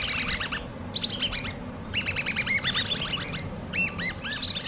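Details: Common babbler chicks raised by hand, uttering clustered quick chirps that slide downward, three or four bursts with gaps, over a low steady background hum.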